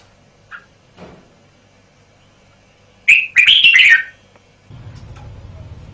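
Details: Red-whiskered bulbul, a caged male, delivering one rich, rapid warbled phrase of chirpy notes, preceded by a faint call and followed by low rumbling background noise.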